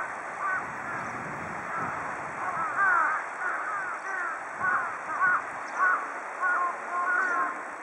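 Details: Group of large-billed crows bathing in water; repeated harsh caws with several birds calling, roughly every half second in bursts, over steady background noise.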